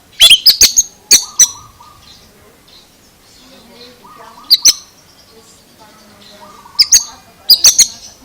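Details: Oriental magpie-robin producing peculiar sounds: an opening flurry of sharp, piercing chirps, then scattered double chirps every few seconds, with quiet low tonal notes filling the gaps.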